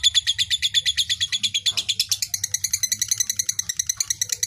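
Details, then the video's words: Rapid, shrill ngekek trill of a fighter lovebird, aimed at provoking rival birds, with closely repeated chattering pulses throughout over a low steady background hum. "suara lovebird ngekek panjang fighter bikin jebol birahi"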